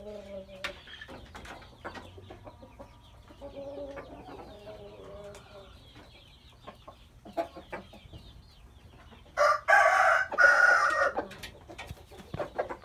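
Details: An orange rooster, recorded 4/3/2018, gives scattered clucks and soft calls, then a loud, harsh, drawn-out crow rising to a rasping climax around the middle, followed by a second ragged burst and a few clucks.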